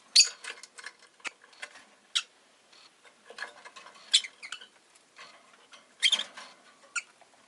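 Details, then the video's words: Rosy-faced lovebird kept as a pet, giving sharp, high chirps scattered through the recording, some louder and some softer, amid faint scratchy rustling and patter. "Lovebird Chirping Sounds"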